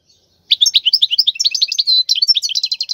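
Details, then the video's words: Continuous rapid twittering from a wild European goldfinch, khalwi song to teach young birds, with jangling varied notes, a short buzzy hold near the end and quickening repeated chips. "تغريد الحسون البري لتدريب الفراخ"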